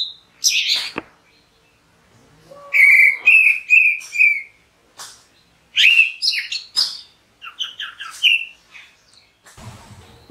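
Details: Orange-headed thrush singing: short bursts of varied phrases mixing clear whistled notes with sharper chirps and trills, grouped in three clusters separated by brief pauses, ending with a soft low rumble.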